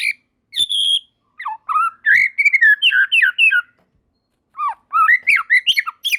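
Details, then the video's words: White-rumped shama song with other shamas joining in; rich fluted whistles rising and falling in a continuous phrase, a short silence, then more varied whistled notes and sharp clicks. "Tanpa Nunggu Lama Burung Murai Batu Lain Langsung Ikut Nyambar Gacor || Voice of Murai Batu"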